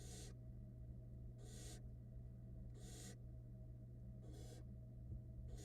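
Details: Barn owl chicks in a Florida nest box calling while the female feeds them: five drawn-out, broad rasping hisses, each under half a second, with a low mechanical hum throughout.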